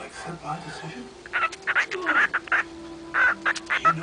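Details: A female pet cockatiel mumbles to herself in soft, scratchy bursts and brief whistled chirps, scattered unevenly over a few seconds, with dialogue from a film playing on the television in the background.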